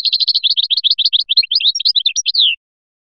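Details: A European goldfinch of the Biskra type sings a fast, bright twittering run of high tinkling notes for about two and a half seconds, ending in a falling slur; nothing else is heard.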